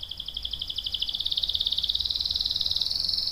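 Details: Canary delivering a long rolling trill, rapid even pulses sustained throughout at high pitch, gradually rising slightly and growing louder, over faint low background hum.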